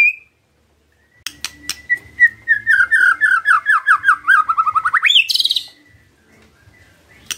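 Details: Murai batu, the white-rumped shama, in gacor song as a lure: a long accelerating trill of about twenty downslurred whistles sliding gradually lower, ending in a sharp rising buzzy flourish.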